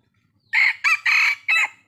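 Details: Crow of a red junglefowl kept as a decoy bird: a short burst of four hoarse, clipped notes, the third longest and the last falling away, with a clean quiet background.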